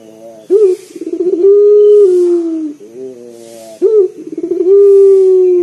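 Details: Local collared dove giving its big, deep coo as a lure for other singers; two phrases, each a clipped note and stuttering roll followed by a long steady low tone that sags at the end.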